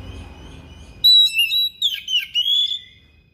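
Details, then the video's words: Thick-billed kacer (Oriental magpie-robin) in insistent, sharp-voiced song that shows off imitated material: clear high whistles broken into short bursts, one long downward-curving slur and warbled notes, over a faint background hum. "KACER PARUH TEBAL SUARA PERIH NGOTOT BONGKAR ISIAN"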